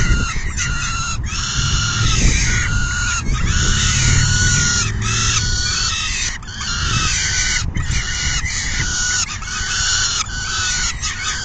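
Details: Peregrine falcon at the nest on June 10, 2022, around 4:08 PM, during a full feeding by the adult female; harsh, raspy calls run almost without pause in rapid bursts over a low rumbling background.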